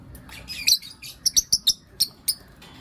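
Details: Pet lovebirds, blue opaline and lutino opaline, chirping in the morning: short, sharp, very high chirps come in quick irregular bursts, several close together, over a quiet background.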